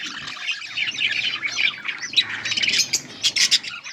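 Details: Chattering from a budgerigar pair, Australian parrots kept as pets: a steady run of grating, warbled notes, ending in a string of clipped, loud chirps.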